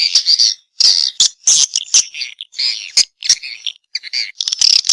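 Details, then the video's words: Swiftlet response call in choppy bursts: short, high, buzzy twitters separated by brief silences, each burst a scratchy chattering flurry. "Suara Walet respon"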